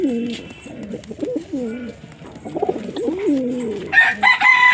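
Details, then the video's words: Low, throaty pigeon coos rising and falling in several phrases, followed near the end by a higher, harsher call from another bird. "Pigeon Sound Effect"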